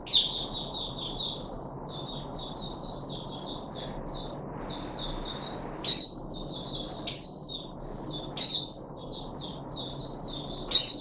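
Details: Captive puff-backed bulbul, third day after deworming, 14 July 2021, delivering a steady flow of small high chirps and twittering notes, broken every second or so by sharp clicking knocks.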